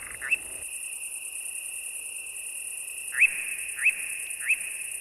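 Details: European Nightjar at sunset on 29 June on the Hungarian puszta, answering playback of its own call: short, sharply rising whistled calls, one early then three about every 0.6 seconds, over a steady high insect drone.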